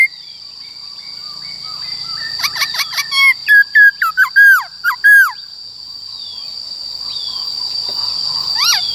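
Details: Black-throated laughingthrush in 'wild voice' song for training young birds: a rapid run of short repeated notes leads into loud, looping, down-slurred whistles, then near silence with one last faint rising note over a constant high tone.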